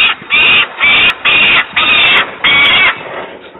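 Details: Young peregrine falcon recorded at Włocławek, Poland, on 11 July 2022: loud, harsh, rasping screams repeated about twice per second, each lasting roughly half a second, with heavy clipping and no other clear sounds.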